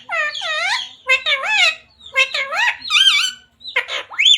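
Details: Pet parrot talking, mimicking human words such as devotional phrases: four clear voice-like phrases with strong stacked harmonics, rising and falling in pitch like speech, separated by short silences, ending in a higher squeaky note.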